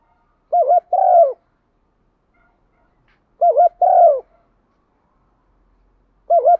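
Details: Pearl-necked decoy spotted dove calling in the single-ending style. Two full phrases of a wavering double note plus a falling coo come about three seconds apart, and a third phrase begins at the end.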